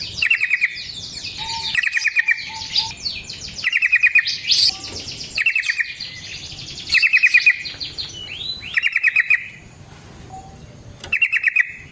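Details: Yellow-vented bulbul singing a long rolling song meant to provoke other bulbuls into answering: repeated short rattling trills every one to two seconds, mixed with other chirping and whistled notes.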